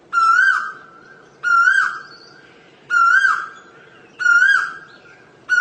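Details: Asian koel repeating its ringing, upward-swooping whistle five times, evenly spaced at just over a second apart, loud and clear.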